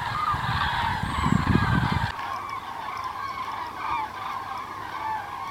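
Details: Flock of common cranes heading south in November 2014, steady overlapping trumpeting calls throughout, with a burst of low wind or handling rumble in the first two seconds.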